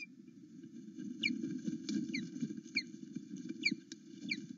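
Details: Male osprey on a live-camera nest at Loch Arkaig, greeting the returning female in the morning: scattered sharp, downward-slurred whistles in small clusters, with a steady low hum and rustling beneath.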